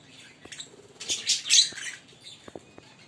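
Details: Green Fischer's lovebird pair chirping, a loose cluster of sharp high chirps building to a louder burst near the middle, then scattered clicks.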